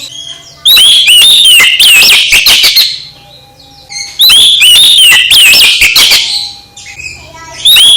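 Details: Oriental magpie-robin song used to excite another magpie-robin: two long, loud phrases of bright whistles and fast chirps about three seconds apart, with a faint low hum in the quiet gaps.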